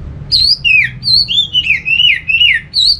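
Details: Orange-headed thrush song played to coax other thrushes into singing: a fluid run of clear, slurred whistles rising and falling, each note looping smoothly into the next at a lively, steady pace, with a quiet background.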